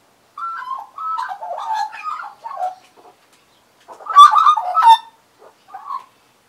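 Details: Australian magpies, regulars sitting on a person's arm and knee in 2015. Quiet, clear warbled notes come in short strings, then a louder bubbling burst and a few soft closing notes.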